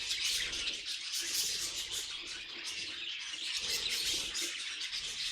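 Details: Budgerigars kept as pets chirping and warbling, high twittering bursts layered over a steady raspy chatter, with a few louder sharp tweets.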